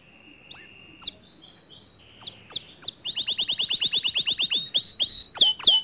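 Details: Canary singing to stir a lazy, silent canary into song: a few high whistled notes, then a long run of rapid downward-sweeping chips repeated several times a second, ending in two loud sharp notes.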